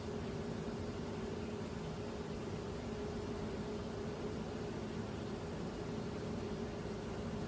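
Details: Constant mechanical hum with a steady mid-pitched drone and broadband hiss, like a fan or engine; no animal calls.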